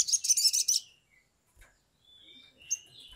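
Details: Excited Sumatran leafbird (sogok ontong) used as a lure call: a fast burst of bright, high chattering notes under a second, then thin whistled phrases after a pause.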